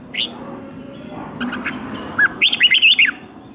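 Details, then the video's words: Red-whiskered bulbul, captive, fighting song for training birds: a lone short whistle, some soft notes, then a quick burst of half a dozen bright, looping whistled notes at the end. "Kích Chào Mào Hót Ché |Kích chào mào hót đấu"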